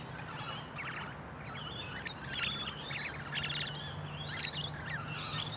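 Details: A pair of wild musk lorikeets in a large pepper tree, talking and singing: harsh, screechy chattering bursts about once a second over steady background noise and a low hum.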